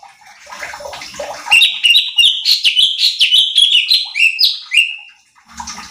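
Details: Training recording of a cucak cungkok bulbul singing to provoke contest birds: after a second of soft rustling noise comes a fast, lively run of slurred whistled notes, repeated several times each second, ending in faint background noise.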